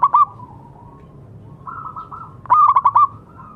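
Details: Zebra dove of local stock in full song, meant as a lure and therapy for silent birds: a short clipped coo phrase, a soft rolling coo, then a loud run of five rapid staccato notes.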